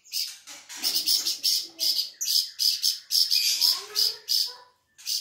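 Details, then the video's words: Flamboyan bird, popular with songbird keepers for tutoring other birds, delivers fast repeated high chattering notes, about three per second, in a steady scratchy stream that stops briefly near the end. "burung flamboyan gacor"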